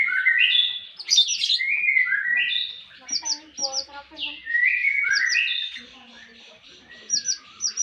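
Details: Javan tesia song from a training master recording: rising and falling slurred whistles in quick phrases, then short sharp high notes repeated in small clusters.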